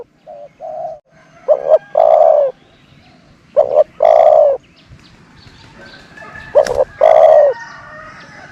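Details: Dove used as a decoy bird, cooing in a steady pattern. Each phrase is a brief low double note and then a longer mellow coo, repeated roughly every two seconds. Light twittering from other birds sits beneath.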